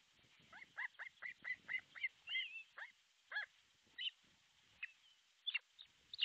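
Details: Osprey on its artificial nest in Pohjois Satakunta, Finland, July 6, 2023, around midday, nest camera: a string of high, hooked whistles, quickening then scattering into single notes, over faint background hiss.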